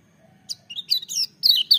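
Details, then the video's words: Lemon-bellied white-eye, known locally as kecial kuning, giving a loud full-voiced song: a short run of high, sharp chirps and quick downslurred whistles, growing denser toward the end, over a faint low hum. "Kecial Kuning joss gacor menggelegar tapi merdu"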